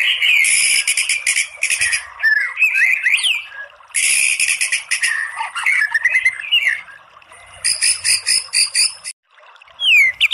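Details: White-rumped shama song as a masteran training recording: dense, harsh, buzzy rattling bursts alternate with varied short whistles that rise and fall, with a brief silent gap near the end before a final clear upslurred whistle.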